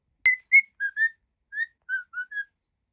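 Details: Pure whistled notes from a happy cockatiel, a sharp opening tone followed by about seven short level or slightly rising whistles in quick succession, in silence.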